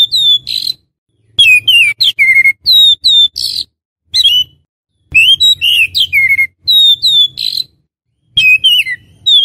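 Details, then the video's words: Oriental magpie-robin for luring wild birds: rich whistled song of sliding clear notes, chirps and occasional buzzy notes in repeated phrases across the recording, faint low hum beneath. "SUARA PIKAT BURUNG KACER"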